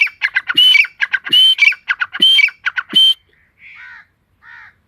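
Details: Partridge in the forest giving four rapid, grating phrases of sharp notes capped with a piercing whistle, roughly one per second, then falling quiet apart from two soft, nasal, buzzy calls.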